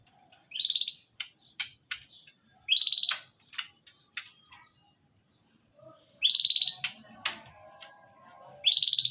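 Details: Lovebird, tame yet aggressive, in a nonstop 'ngekek' session: harsh, buzzy high bursts every few seconds, separated by short clicks and scratchy twitters.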